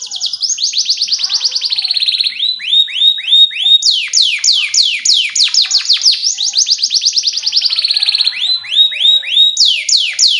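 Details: Lively canary song meant as a lure for teaching young canaries: continuous fast trills of sharply falling notes, switching speed and pitch every second or two, loud and unbroken throughout.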